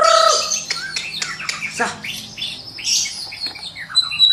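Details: White-rumped shama in full mimicking song used to train birds in the morning: harsh, buzzy and scratchy notes mixed with sharp clicks and quick descending whistles, dense and rapid throughout.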